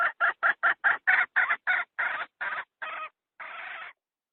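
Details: Hen call used to entice wild junglefowl into traps: quick clipped clucks that gradually slow and lengthen, finishing with two longer drawn-out rasping notes.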